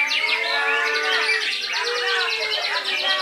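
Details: Loud, steady song from a white-rumped shama of Belitung island: long drawn whistles underneath a fast, regular series of high ticking trill notes that carries on without a break.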